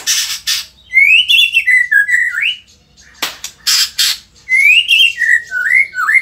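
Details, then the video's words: White-rumped shama in Indonesia alternating harsh broadband rasps with rippling whistled phrases that rise, fall and end in upward swoops, the pattern heard twice. "auto emosi !! murai gacor super figter | shama bird Indonesia"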